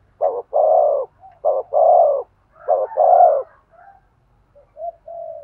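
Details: Spotted dove giving cooing meant to stimulate a male: three paired phrases, each a brief note followed by a longer hoarse coo, spaced about a second apart, then softer trailing notes.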